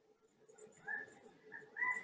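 A California quail calls faintly through a soft, hissy background: a few short, clear mid-pitched notes, the last rising and strongest near the end.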